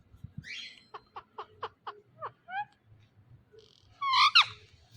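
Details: Indian ringneck talking parrot giving a row of about seven short even clicks, a few quick downward whistles, then a loud wavering speech-like cry.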